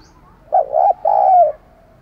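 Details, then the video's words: Low hollow cooing from a spotted dove used as a decoy to call wild doves: a stuttered double note, then a longer coo that slides slightly downward. "Chim Cu Mồi Thúc Gù Gáy Gọi Bổi Nghe Siêng Gáy Nhanh Lên Mồi"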